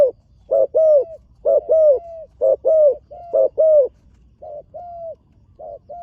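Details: Newly trained young spotted dove on its first outing to the competition ground, cooing in steady two-note phrases, a brief note followed by a longer drawn-out one, about one phrase per second, some pairs softer toward the end.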